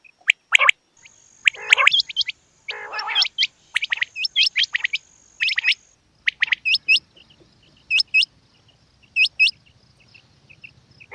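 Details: Female quail giving sharp high chirps and a rasping buzzy burst, followed by paired upward-flicking whistled notes repeated about every second, with a faint steady tone in the background.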